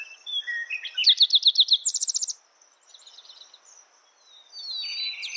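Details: Spotted towhee song: a few soft introductory notes, then a rapid run of bright, clipped notes flowing into a higher buzzy trill. Quieter bird chatter and a persistent high insect whine follow.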